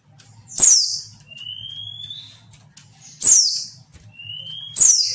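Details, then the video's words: Calls of a female white-eye, used to make reluctant males answer. Three bright, high squeaks sliding downward, each followed by a long, faint, rising whistle. A low humming drone runs underneath throughout. "PLECI BETINA UNTUK PANCINGAN PLECI MALAS BUNYI"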